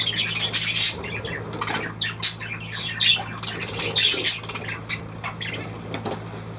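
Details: Budgerigar calls: scratchy squawks and short chirps in irregular clusters, with faint rustling and a steady low hum.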